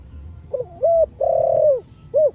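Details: Spotted dove singing in the Thổ Sấm voice style, a lure recording to stir other doves into calling; one mellow phrase: a soft low note, a level hooted note, a long sustained coo sagging at its end, then a short final coo.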